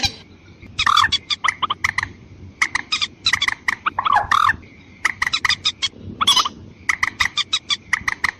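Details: White-breasted waterhen lure call meant to draw in both females and males: harsh, nasal croaking notes in rapid irregular bursts, some with rising-falling squawks, separated by short pauses, over a faint steady tone throughout.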